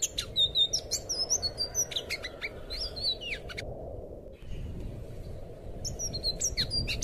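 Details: Anis biru (thrush) sings rich, varied whistled phrases with sliding notes, pausing about two seconds before resuming, over a steady low background hum; song used as a master recording for training young birds.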